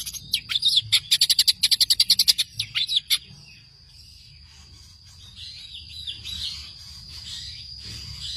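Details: Long-tailed shrike song for songbird training: a quick run of harsh chattering notes for about three seconds, then quiet soft warbling over faint background hum.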